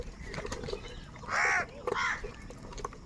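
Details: Angry crows fighting over food give two harsh, raspy caws close together, the first longer and louder, over a busy outdoor background of faint chirps and clicks.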